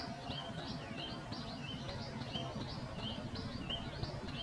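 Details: Pipit giving quick, thin chirps, hooked and slurred, about three or four each second, set against steady low background noise.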